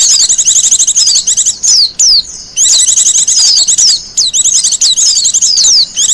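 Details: Almost unbroken high twittering from a wild Japanese white-eye, a lure and master song, with rapid chirps and repeated falling whistles strung together for six seconds.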